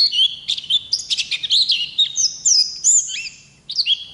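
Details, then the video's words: A wild Oriental white-eye sings a high warbling phrase of slurred whistles and trills, rising to thin peaks, then pauses briefly before a final short twitter. "Pleci Ngalas Gacor Ngerol Durasi Panjang"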